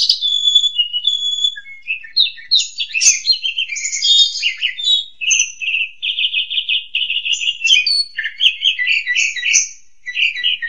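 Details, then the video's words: Asian pied starling singing a full 'isian' song: a varied stream of chattering, squeaky and whistled high notes, with a steady run of rapid buzzy pulses in the middle, then mixed chirps. "Kicau Burung JALAK SUREN isian KOMPLIT"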